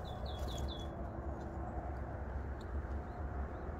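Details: Eurasian nuthatch on a mountain summit at 6:55 am on 5 April, giving four quick, high, down-slurred whistled notes in the first second, then quiet, with a heavy, steady low rumble of wind throughout.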